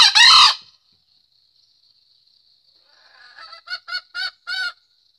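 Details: Green junglefowl (Gallus varius) courting a hen: one loud, harsh, harmonic burst, then after a quiet pause a run of five short, clipped, rapid notes, with a faint steady insect hum underneath.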